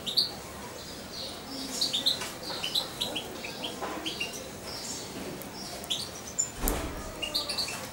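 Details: Young goldfinch, roughly two months old and hand-fed by syringe, calls with scattered bright high chirps and short twittering runs, alongside occasional soft knocks and handling noises.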